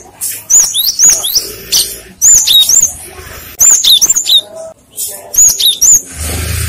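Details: Cinereous tit singing as a lure for other tits, which answer: four separate phrases of high whistled notes, each phrase a quick series of sliding and dropping whistles, with brief pauses between phrases.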